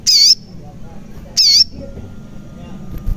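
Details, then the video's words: Crimson sunbird, locally sogon, giving two loud rasping high squeaks about a second apart, followed by quiet rural background. Meant to coax silent birds into song. "Pancingan Sogon Agar Bunyi, Sogon Bahan, Sogon Malas Bunyi, Sogon Macet Bunyi, Pasti Langsung Nyaut"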